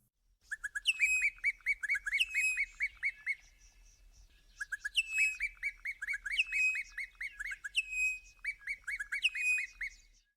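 Bokmakierie giving two loud bursts about four seconds apart. Each opens with a few lower notes, then runs into a rapid string of ringing, whistled notes.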